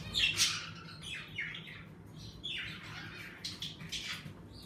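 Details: Pet budgerigars in an indoor bird room, lively as the weather warms, give overlapping high chirps and harsh squawks in quick bursts, with a louder burst of chatter near the end.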